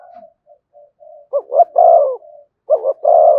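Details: Spotted dove in "giọng thổ" cooing style, "thúc" and "kèm". Soft broken low hums open. Then come two full phrases, each a pair of clipped notes followed by a long, rich, slightly descending coo.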